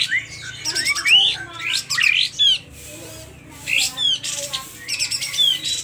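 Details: Agitated Aceh sooty-headed bulbul with its tail spread, voicing loud squawky phrases. Buzzy bursts mix with sharp upslurred whistles, separated by short silences.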